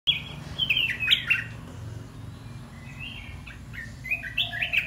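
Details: Caged red-whiskered bulbuls, locally 'dok taeng' and 'ta daeng' types kept together, sing bright, warbling whistled phrases in two bursts, the second softer and rising, over a steady low hum.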